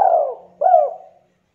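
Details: Javanese spotted dove of the tight-set 'kuk 2' calling style, kept as a lure to spur quiet doves into calling: two low, hollow coos with a short gap, the first slurring downward, the second rising then falling.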